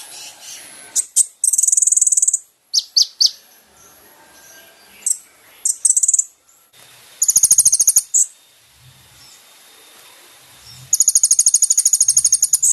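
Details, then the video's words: Kolibri ninja song for training caged birds: scattered high chips and short buzzy bursts, then two fast rattling trills separated by a quiet stretch. "MASTERAN BURUNG KONIN"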